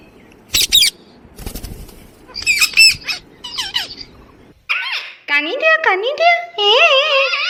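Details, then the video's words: Alexandrine parakeet, shown talking: harsh squawks and chatter first, then after a brief gap a sequence of wavering, voice-like nasal syllables with rising and falling pitch, similar to mimicked speech. "Parrot Talking and Parrot Sound"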